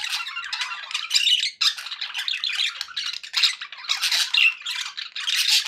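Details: Budgerigars kept as pets, described as happy, give a dense rattling chatter of raspy squawks and high chirps, broken by a short pause near one and a half seconds.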